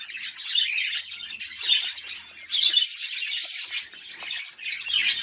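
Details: Budgerigars bred at home as a hobby give a continuous wall of high, chattering warble and squeaky chirps, swelling and fading every second or so, with no other clear sounds.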